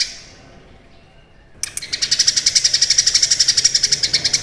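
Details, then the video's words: Cucak kinoi in full song, recorded as tutor material for contest birds such as magpie robins and green leafbirds: quiet start, then a rapid run of harsh pulsed notes repeating about four times a second. "CUCAK KINOI GACOR MATERI MEWAH"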